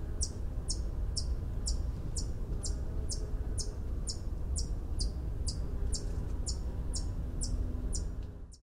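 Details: White-eared hummingbird from mountain pine-oak forest: a steady series of high, sharp metallic ticks, about two per second for eight seconds, over a constant low rumble of background noise.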